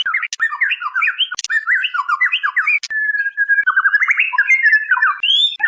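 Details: Female white-rumped shama calling to the male, a lure recording: a rapid run of varied whistled notes that jump and slur up and down, with a steady level whistle midway and sharp clicks in between.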